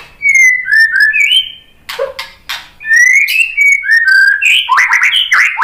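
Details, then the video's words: White-rumped shama song used to provoke answering birds: smooth descending whistles linked in phrases, a brief low note, then more lively rising and falling whistles with rapid notes toward the end. "KICAUAN MURAI BATU bikin NYAUT jadi GACOR NGEPLONG BONGKAR MATERI ISIAN ¦ PANCINGAN MURAI"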